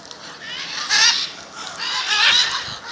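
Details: Two drawn-out, grating macaw screeches roughly a second apart, from a gathering of the birds in front of a house in Jaumave, Tamaulipas, Mexico, February 2015.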